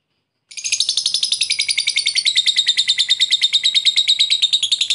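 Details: Lovebird used as a lure bird to call a rival, singing in the long ngekek style: a rapid, continuous, high-pitched chattering trill that starts after a brief silence and runs unbroken to the end, with no other clear sounds.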